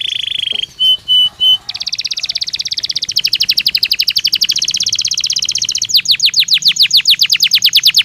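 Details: Belgian canary in natural song: a short buzz and three clear piping notes, then long rapid trilled rolls shifting into slower loud descending whistles.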